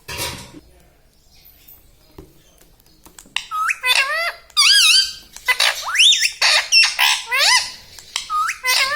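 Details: Talking rose-ringed parakeet kept as a pet indoors: after a quiet start, a long run of loud, harsh syllables with rising and falling harmonics, repeated roughly every second.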